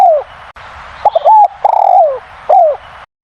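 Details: Spotted dove calling very loudly: soft, hollow coos, some gliding down, others rising then falling, in a short phrase of about four notes over three seconds with faint hiss behind.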